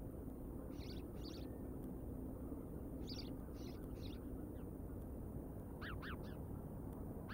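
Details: Bald eagles at the Decorah nest, picked up by a live nature cam on the afternoon of 31 August 2022: short, high, piping chitter notes in small bursts, fairly faint over a steady low rumble of wind or distant traffic.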